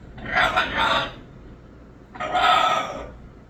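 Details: Pet Moluccan cockatoo screeching twice, each loud, grating burst lasting under a second with a throaty, wavering quality, separated by about a second of near-quiet.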